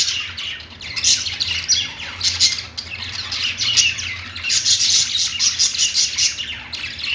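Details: Pet budgerigars singing while perched, dense scratchy chatter with squawks and clicks, bursts rising and falling every second or so.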